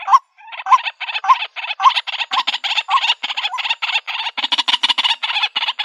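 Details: White-breasted waterhen calls played in the country to draw birds into a trap: hooked croaking notes that quickly merge into a fast, rhythmic, rasping chatter of about two notes a second.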